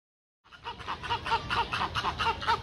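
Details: Chilean flamingos at Calgary Zoo in May 2023 honk in a rapid, overlapping goose-like chorus of nasal calls repeated several times a second.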